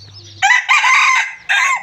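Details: Red junglefowl (Gallus gallus) rooster, a captive bird kept for breeding, gives a harsh, clipped rolling crow in two bursts, a longer broken phrase then a short abrupt ending, after a faint low hum.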